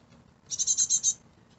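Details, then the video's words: Fledgling great tit chicks in a UK garden; a short burst of five rapid, high, harsh chirps packed close together, with faint background hum. "Fledgling Great Tit Chicks in my Garden"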